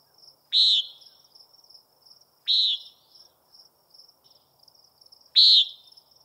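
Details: Common nighthawk (Chordeiles minor), peent call.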